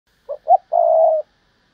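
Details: Spotted dove kept as a decoy bird and praised as a rare fine singer, one in thirty: two short low hoots followed by one long, steady, mellow coo, in quiet surroundings.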